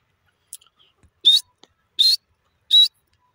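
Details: Pet grey francolin giving three shrill, slightly rising whistled notes spaced under a second apart, with a few faint clicks beforehand in an otherwise quiet setting.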